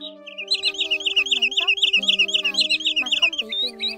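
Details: Common greenshank (Tringa nebularia) competition call used as a lure for trapping migrating birds: a fast run of high, wavering whistled notes, about four a second, over low steady tones that sound like music or a hum.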